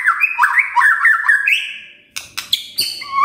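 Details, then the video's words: Magpie-robin song meant to provoke other birds into singing: a quick tumble of warbled, slurred whistles fading into a long held note, then a pause and a few sharp, harsh high notes followed by a rising whistle. "Pancingan Murai Gacor"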